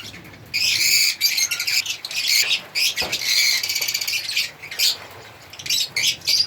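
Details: African lovebirds giving loud, harsh squawks mixed with rapid shrill chirps, in stop-start bursts after a quieter opening.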